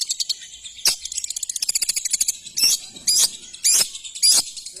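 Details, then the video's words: Shrike (cendet) song mixing a rapid stutter of high ticking notes with harsh, scratchy bursts repeated roughly every half second, all very high-pitched. "Suara burung cendet The sound of shrike"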